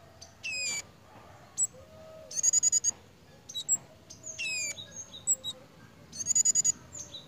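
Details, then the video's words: Breeding-condition pied fantail gives fast bursts of high, sharp notes, with single chips between them. Quick downward-sweeping squeals and a steady high tone break in at times. "BURUNG KEMADE / CIGEN SEDANG BIRAHI,LUCU JUGA TINGKAH DAN BUNYINYA"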